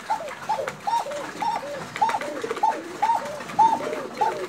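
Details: Bashiraj koka pigeon, fancy domestic breed, Tangail: about ten short arched notes in four and a half seconds, each trailed by a lower softer echoing note from other pigeons nearby in the loft.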